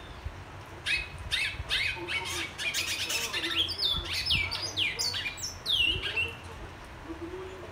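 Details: Black-and-white seedeater, known locally as bicudo, twa twa or pico plata de negro, whistling on 21 February 2022: fast buzzy notes giving way to clear, sweeping downslurred whistles, with steady low hum behind.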